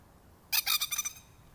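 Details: A plover dive-bombing a person to protect its nest in nesting season, near Darwin, NT, bursts into a loud, harsh, stuttering alarm of about six rapid grating notes in under a second.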